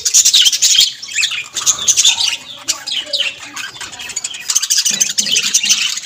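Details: Several budgerigars calling at once: loud, high, rasping chirps and trilled warbles crowd together in a steady flowing chatter with a few sharper squawks.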